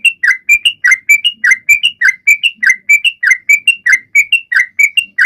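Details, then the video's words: Whistled song of a sooty-headed bulbul, played to get other birds to sing along; paired notes, a low falling slur then a higher level whistle, repeated steadily at a quick pace. "Trucuan gacor!!mancing burung lain ikut bunyi"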